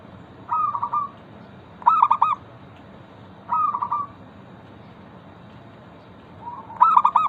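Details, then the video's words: Zebra dove, a local bird, cooing as a lure for others to sing: alternating trilled and clipped rapid coo phrases, four bursts in seven seconds, with low hum behind. "Perkutut lokal gacor pancingan ampuh Suara disukai burung perkutut bikin cepat bunyi langsung nyaut"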